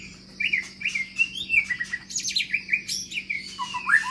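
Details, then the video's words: White-rumped shama, a caged long-tailed Medan bird in an aviary, singing bright, quick whistled notes in a rhythmic series, with rising slurs and a few sharp high clicks. "Senandung Kicau Murai Baru Medan Ekor Panjang Di Kandang Umbaran"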